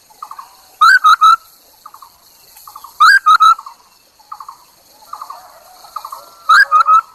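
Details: Decoy Chinese hwamei singing to lure wild birds: bursts of three loud whistled notes, first sliding upward, repeated roughly every two to three seconds, with quiet clipped chattering notes filling the gaps.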